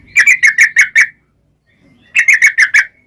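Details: Yellow-vented bulbul singing in two quick bursts, each of about six rich, gurgling chirps, separated by a second of near silence, from a lure recording used to get bulbuls singing.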